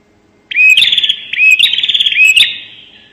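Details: Bar-winged prinia calling in a loud 'nembak' style, used as a lure sound: two harsh, buzzy trilled phrases with a rising whistled onset, high-pitched and rapid, then a fading buzz tail.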